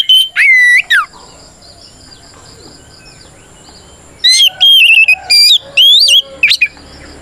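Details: Fighting song of an oriental magpie-robin, meant to make other birds answer: a pair of whistled phrases with a falling slur, a three-second silence, then crisp whistles, upslurs and short sharp notes.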